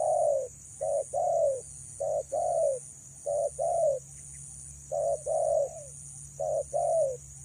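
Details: Female spotted dove calling to entice males, repeating pairs of a short low hoot and a longer descending coo about once a second, with a faint pulsing hiss in the background.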